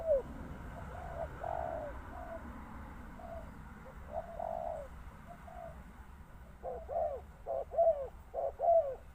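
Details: Spotted dove cooing: a run of soft, low hooted notes, faint and uneven at first, then several louder, clipped coos in quick succession toward the end, over steady low rumbling background noise.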